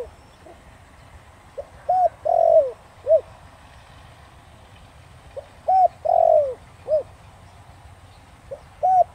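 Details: Spotted dove with the 'thổ đồng' voice, used to make wild doves answer, gives two full coo phrases about four seconds apart. Each has soft pickup notes, an arched coo, a long burry descending coo and a short end note.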